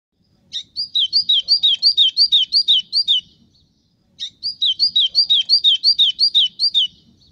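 White-throated Seedeater singing two bright, fast phrases of about ten high, slurred whistled notes each, separated by a short pause; background otherwise quiet.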